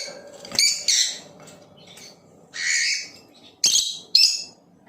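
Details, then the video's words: Blue Opaline lovebird chirps: abrupt shrill notes alternating with longer buzzy, nasal squawks, five or six bursts in all, over a low background drone. "Play this video and make your LOVEBIRD chirp and sing | Lovebird chirping sounds - Blue Opaline"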